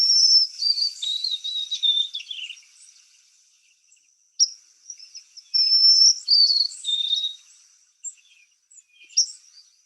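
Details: A young White-throated Sparrow late in the song-practicing stage gives high whistled notes in two short phrases with quiet gaps. The notes are quiet, quavery and wavering rather than the adult's pure whistle, as if nervous, while it learns muscle coordination.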